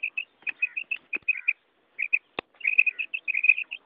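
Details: A female quail calls karak in a run of clipped, high chirps. The chirps come in uneven clusters, broken by a short gap and a sharp click or two.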